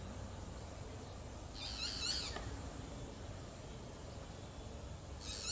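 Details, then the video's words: Boat-billed flycatcher giving one loud nasal, buzzy, high-pitched burst under a second long, then the start of another near the end, with steady low background noise between. "CANTO DE NEINEI"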